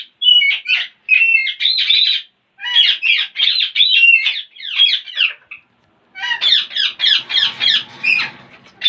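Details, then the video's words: Parrots making weird sounds and funny noises: long runs of rapid chattering squawks and warbles, in three bursts broken by short pauses. "Most Beautiful Parrots Are Making Weird Sounds And Funny Noises !"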